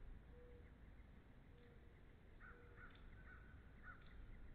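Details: Bald eagle from a wild nesting pair at the NCTC, February 13, 2013, giving a series of faint high chirps spaced about half a second apart, with lower soft whistled notes and constant low rumble behind.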